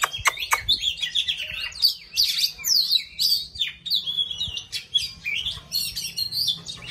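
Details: Oriental magpie-robin singing and dancing, pouring out a fast, varied string of high sweet whistles, slurred notes and scratchy twitters with hardly a pause.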